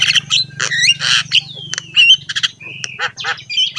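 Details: Javan myna in full, vigorous song, kept as a master recording for training other mynas: harsh squawks and chatter mixed with a long sliding whistle and short buzzy notes, over a steady low hum.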